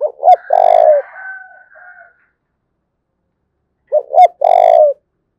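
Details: Spotted dove, Đồng Nai, Vietnam, thúc bổi calling: two low phrases about four seconds apart, each a pair of short notes and a sustained coo, with a faint higher drawn-out call after the first.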